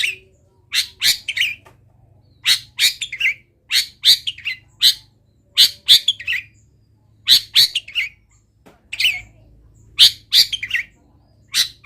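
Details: Long-tailed shrike singing actively, its song filled with copied wild-bird sounds: repeated grating two-part phrases, each a harsh burst dropping into a shorter rasp, coming in clusters over a faint low hum.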